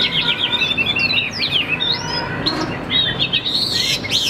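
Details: Chinese hwamei of the Tam Hoàng variety, caged, in full song: rapid bubbling whistles, several long falling glides, then clustered high notes near the end, loud and continuous.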